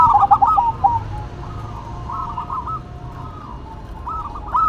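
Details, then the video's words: Zebra dove duet, local bird against a cemani bird: a fast rolling cluster of trilled coos at the start, fainter purring phrases in the middle, and another rolling burst at the end, with low background noise. "Duet Perkutut irama, Lokal Vs Cemani"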